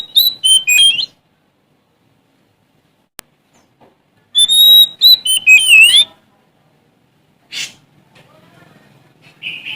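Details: Sumatran Oriental magpie-robin, a male singing to challenge rivals: short bursts of loud, twisting whistled notes, separated by long silent gaps, with a single click and a later rasping note.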